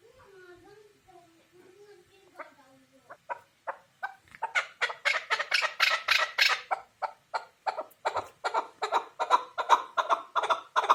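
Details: Chukar partridge calling: after a few seconds of faint, low, drawn-out sounds, a loud series of harsh, clucking notes begins and builds into a rapid, steady run, roughly two to three notes per second, continuing to the end.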